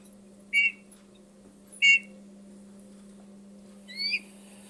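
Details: Eurasian bullfinch, a wintering bird that sings simple songs in winter, gives three soft, piping whistles spaced over four seconds, the last one higher and slightly rising, over a steady low electrical hum.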